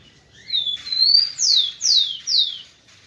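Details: A kept male rufous-collared sparrow sings to stimulate females. A soft upslurred whistle rises into a sustained note, then three loud, clear down-slurred whistles follow at even half-second intervals before the phrase fades.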